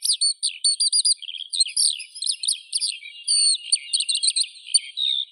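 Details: High, rapid skylark song made of repeated looping chirps, short trills and whistled slurs in quick succession, clear and uninterrupted.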